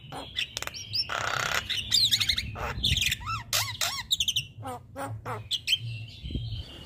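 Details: Caged male Javan myna used to teach other mynas gives a busy medley of harsh rasping bursts, looping whistles and dry clicks in irregular succession.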